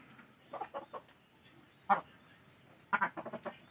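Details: Chicken clucks come in short groups of three or four quick raspy notes, with a single louder cluck in between and a final run of five notes, separated by quiet pauses.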